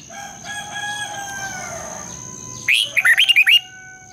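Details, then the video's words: Red-whiskered bulbul in morning song, in the long double twisting voice style, played to urge bulbuls to sing and compete. Drawn-out background tones give way to a fast string of six or seven bright, chattering warbled notes. "Luyện chào mào hót sáng, Giọng kép xoắn dài"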